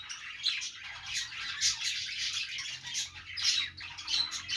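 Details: Several budgerigars chirp together, a continuous scratchy twitter punctuated by a few thin, clear whistled notes and sharp chips.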